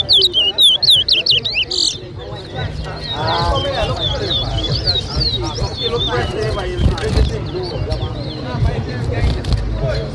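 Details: At a towa towa whistling competition in Lusignan, Guyana, 2023, the bird gives a two-second flurry of fast, high, looping whistles, followed by loud crowd talk and distant chirps.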